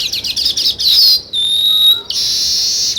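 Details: Sparrows, linked with weaver birds, in a dense high chirping chorus that breaks off for a moment while a pure steady whistle sounds, then the busy twittering resumes.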